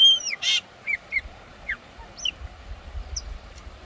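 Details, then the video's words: A wild chopi blackbird at the headwaters of Cachoeira Castro Dantas waterfall, São Roque de Minas, Brazil, sings loud, clear whistles and liquid gurgling notes, some sliding down, others rising, in an irregular string over a soft rumble of water. "ASSUM PRETO SELVAGEM"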